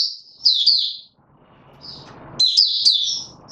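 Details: Male white-eye (mata puteh) in opening song, 31 December 2021: two short, very high twittering bursts of slurred whistles with a soft rustling gap between them.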